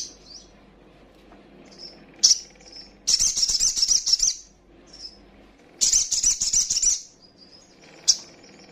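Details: Little spiderhunter, a young female, calling to provoke rival birds. Bursts of rapid high chattering trills about a second long come twice, with short thin high notes and faint whistles scattered between them.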